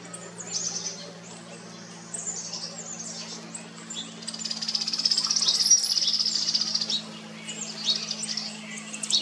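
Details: Painted Buntings, male and female, on Jekyll Island, Georgia, USA, in June 2022 during summer, giving high, thin chirps and twittering notes in quick bursts, several overlapping, over a steady low hum.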